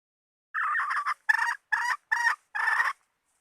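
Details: Hen call used as hunting bait: six harsh, nasal clucking notes, some doubled, given in an uneven series over about two and a half seconds, with quiet gaps between them and no other sounds.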